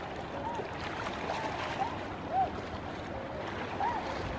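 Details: Tundra swans at Niagara in 2020 give soft, hooting, slightly rising calls, four or five spread across a few seconds, half buried under a steady rush of water.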